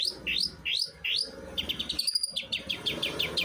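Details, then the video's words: Long-tailed shrike singing hard in the non-stop 'los trotol' style: three loud rising whistled sweeps, then a fast run of short upslurred chirps with a few high thin notes mixed in. "BURUNG CENDET GACOR SUARA LOS TROTOL"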